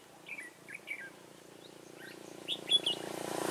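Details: Red-whiskered bulbul heard during a trapping session on 15 March 2018, with a decoy bird singing. Short chirped notes come first, then a brighter burst of clear whistled notes near the end, over a steady hum that grows louder.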